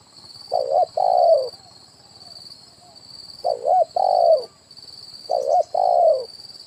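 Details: Spotted dove lure call, 'kuk 1' style, for catching wild birds on branch and ground: three phrases, each a wavering two-part note followed by a drawn-out coo that drops in pitch, spaced about two seconds apart. A steady high-pitched ringing sounds behind.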